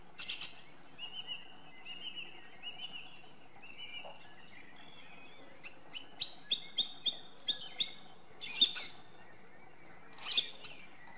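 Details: Song thrush singing: softer warbled phrases first, then a run of six or seven crisp, identical high notes repeated evenly, followed by a loud squeaky flourish and one more burst after a pause.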